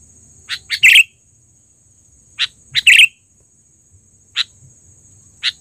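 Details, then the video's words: Sooty-headed bulbul, trained and in full voice, giving a loud lure call: short bright chirps in small clusters, each burst ending in a louder bubbling phrase, repeated about every two seconds with quiet gaps between. "suara pikat burung KUTILANG GACOR...Terlatih dan panggilan keras!!"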